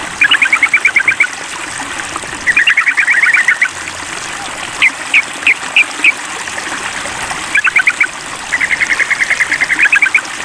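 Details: Rival-calling sooty-headed bulbul under a mental test delivers repeated bursts of rapid staccato chattering, about a second each, with a few spaced chips between, all over continuous water trickle.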